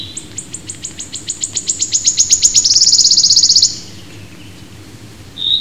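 Wood warbler song: high, ticking notes that speed up steadily and build into a loud, shivering trill lasting about three and a half seconds.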